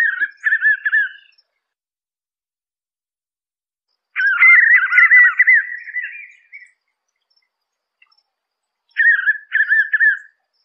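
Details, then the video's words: White-eared puffbird song: three warbled, whistled bursts near mid pitch. The first and last bursts are short and choppy, and the middle one is longer and rolling. They are separated by quiet gaps of several seconds. "canto do rapazinho dos velhos"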